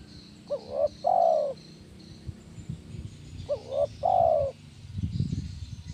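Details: Spotted dove, locally tekukur, in kuk 1 song used as bird therapy: two phrases about three seconds apart, each a quick wavering double hoot and then a drawn-out soft coo, with low rumbling noise near the end.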